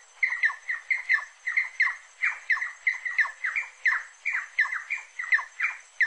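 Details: Rufous-necked wood rail singing a long run of loud, raspy squawks, each dropping in pitch, paired and repeated in a steady rhythm for six seconds over faint high background hiss.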